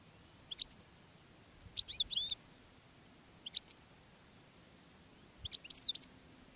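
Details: A decoy goldfinch and a female goldfinch in a rockrose bush calling to wild European goldfinches in open country. Brief, high, tinkling twitter bursts come in four clusters with quiet gaps between them.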